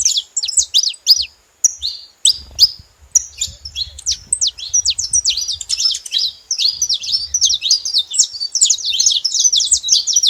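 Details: Saffron finch singing: dense, overlapping sharp chirps and quick downslurred high notes, nearly continuous through the clip, with soft low rumbling beneath.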